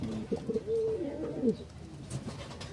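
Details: Pigeons kept in a loft, bathing; soft, low rolling coos in a brief phrase, followed by faint background noise.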